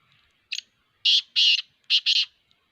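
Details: Black francolin, known locally as kala teetar, giving a harsh, raspy call of five broad grating notes: one short note, then two quick pairs of longer notes, over an otherwise quiet background.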